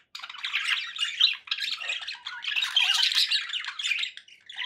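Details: Pet budgerigars warble in two rolling bouts, scratchy and squeaky with chirped notes, broken by a short pause after one and a half seconds.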